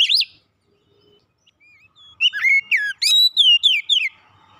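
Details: Kept Oriental magpie-robin gives a brief looping whistle, then a pause, then a lively string of sliding, clear whistled notes with sharp high accents toward the end.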